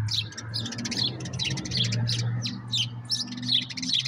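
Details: Common grackles at a backyard walnut feeding spot give short, sharp chirping notes, roughly two a second, loud and uneven, over a steady low mechanical hum.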